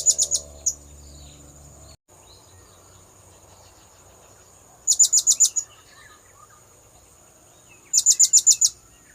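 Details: Blue-crowned hanging parrot lure call used to attract birds: very high, thin trills of four to six sharp pulses in quick succession, repeated every few seconds over a steady high electronic tone and low hum.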